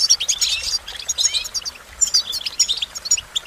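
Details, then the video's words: Short burst of goldfinch song: quick, high tinkling twitters and slurred notes in a few brisk phrases separated by tiny gaps. "Goldfinch Motivation Performance"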